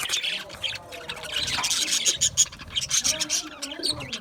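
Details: Budgerigars in an aviary trade high, buzzy chirps and scratchy chatter, with a few sharp squeaks breaking through the continuous twittering of the flock.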